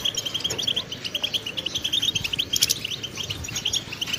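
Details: Fast, liquid twittering from a pet European goldfinch: evenly spaced high chirps run almost without pause, one sharper buzzy note near the middle, low background rumble faint throughout.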